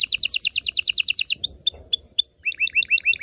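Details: Loud canary song for mating stimulation: a rapid rolling trill, a few high clear whistled notes, then a series of looping upward-curling chirps.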